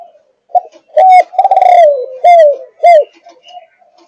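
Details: Low, loud coo phrase from a 5.5-month-old spotted dove of the Malaysian thúc gù line: a short note, then a vibrating drawn-out coo sliding downward, followed by two clipped, arched coos.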